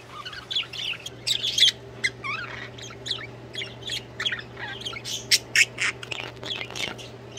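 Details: Budgies singing in a busy, fast warble of chirps, rising squeaks and scratchy notes, several per second and unevenly spaced, over a low constant hum.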